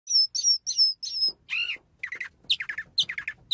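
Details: Bird song: four high, clear whistled notes in a quick series, then a harsh buzzy call and a run of short chattering notes.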